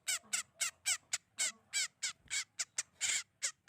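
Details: Sogon bird call used as a lure for trapping birds: a series of short, harsh, rasping chattering notes, about a dozen in under four seconds, irregularly spaced, with faint low background noise.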